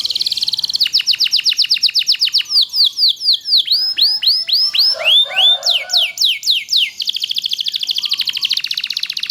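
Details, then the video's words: Loper canary singing a long, continuous song meant for tutoring other canaries; fast repeated high notes give way to looping swept whistles and a rolling trill, phrases changing roughly every two seconds without pause. "kenari loper gacor panjang durasi panjang sangat ampuh buat masteran segala jenis burung kenari"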